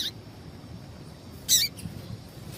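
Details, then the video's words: A female double-collared seedeater (papa-capim) gives one thin, high, sharp chip, with fainter chips just before and after, over a low steady rumble. These calls are used to stimulate males to sing. "Piado de Fêmea de Papa capim esquentar"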